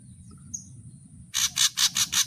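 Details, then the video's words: Ashy drongo, part of a song made of full natural variations: after a faint chirp, five loud rasping, buzzy notes come in quick succession over a soft low rumble. "suara variasi srigunting abu abu"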